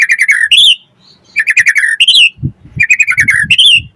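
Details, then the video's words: White-rumped shama singing a lively full song used to provoke other shamas: rapid bursts of sharp repeated chips and rising whistles in quick phrases, with soft low thumping sounds in between. "Pancingan Murai Batu Langsung Nyaut Auto Bunyi Cpt Gacor Full Isian"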